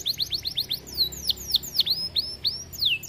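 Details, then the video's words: Canary in full gacor song meant to stir other canaries to sing: quick repeated downward-sweeping whistles, some notes forked and clipped, delivered at an uneven brisk pace. "Kenari gacor bikin kenari lain ikut emosi"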